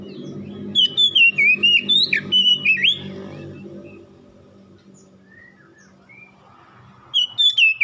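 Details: Oriental magpie-robin song for coaxing a cage bird to reply: a long string of loud whistled notes over a low rumbling background, a quieter stretch with faint chirps, then a fresh burst of whistles.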